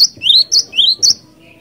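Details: Cinereous tit, sung as a lure in a loud rolling style: three or four quick phrases in just over a second. Each phrase is a piercing high note sliding into a rising whistle, then a soft trailing note.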